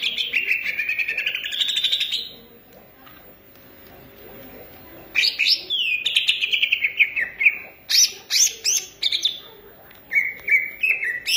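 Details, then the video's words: Green leafbird from Indonesia in full song: a long warbling whistle opens, a silent gap follows, then rapid rising-and-falling chirps and crisp high notes repeated in quick succession. "cucak ijo gacor manteb banget"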